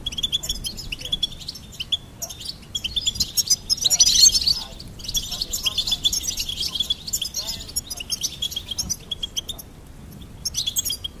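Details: Long, fast goldfinch song of high, tinkling, buzzy twitters running almost without break, with a louder rushing flourish in the middle.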